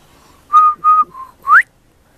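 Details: Young pied butcherbird singing: three level, fluted whistles at even spacing, followed by a quick bright upward-sweeping note, with quiet surroundings.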